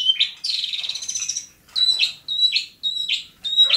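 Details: Bobotsari Long-tailed shrike singing: a brief whistle, then a long scratchy buzz over a second long, followed by three clear high whistles, each dropping into a short downslurred chirp.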